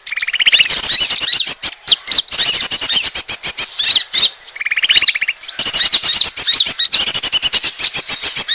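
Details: Lure call of the Asian glossy starling, meant to attract birds: busy shrill chattering and sharp squeaks, interrupted by two short buzzy rattles near the start and middle.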